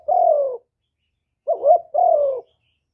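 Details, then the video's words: A spotted dove sings part of its full song of calling, urging and cooing, recorded clean to encourage other doves to call. A long falling coo and a pause, then a short wavering note, then another long, gently descending coo. "Cu Gáy Giọng Hạp Bổi ĐỦ BÀI (GỌI +THÚC + GÙ)Kích Bổi Nhanh Nổi"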